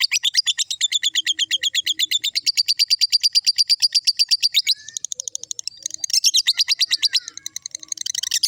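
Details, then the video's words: Lovebird giving its long ngekek chatter: a rapid, sustained string of sharp, high, buzzy chirps pouring out without pause for nearly five seconds, then a brief break and a second, denser burst of shrill chattering notes. "love bird ngekek"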